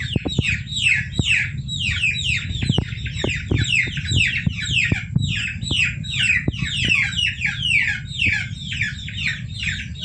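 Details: Several domestic chicks calling nonstop, used to attract civets into a trap: rapid overlapping high peeps that each drop in pitch, with frequent soft clicks and a constant low rumble underneath.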